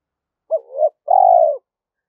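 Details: Spotted dove calling to pull wild doves in to a trap: a brief pitched note running into a soft warbling coo, a gap, then a drawn-out steady coo tailing off lower. Quiet surroundings.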